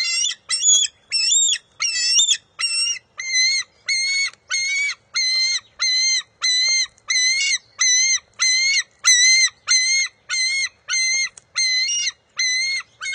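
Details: Bald eagle eaglet on the NCTC nest, June 23, 2021, contesting a fish with its mother; a long series of around twenty piercing, harmonically rich squeals at a steady rhythm of about one and a half per second, the first few wavering and higher.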